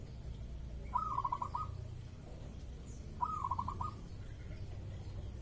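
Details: Zebra dove in breeding mood recorded in the morning, one of two birds ready to sing, giving a lure coo: two short stuttering, rolling coo phrases about two seconds apart over steady low background hum.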